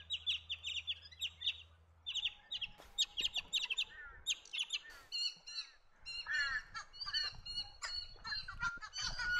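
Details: Blue Bonnets, birds of dry eucalypt woodland in south-east Australia that feed on the ground in pairs or small groups; busy overlapping chattering notes, harsh and harmonic-rich, repeated in rapid bursts, with a brief low hum early on.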